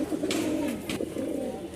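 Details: Newly paired domestic pigeon, described as a crazy caller: low, steady droning coo held throughout, with two brief rustling bursts at about a third of a second and near one second.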